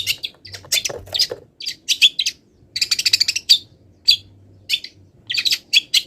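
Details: Long-tailed shrike, not done molting, in full imitation song of wild birds: scattered high chirps, a fast trilled burst in the middle, then more spaced sharp notes.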